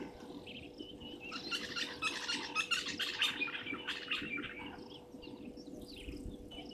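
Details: Waterhole live camera at Gowrie dam in South Africa's Sabi Sand Wildtuin, Djuma Game Reserve, 17:00 on 15 January 2023, with European bee-eaters: a dense burst of bright, trilled calls swelling in the middle, then fading, over a faint constant hum.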